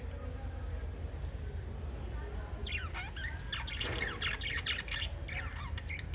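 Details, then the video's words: Chirping from five little lovebirds, parrot family: a lively run of quick, sweeping squeaky chirps that begins midway and continues in dense bursts to the end, with low steady background hum throughout. "Five Little LOVE Birds Chirping Sound"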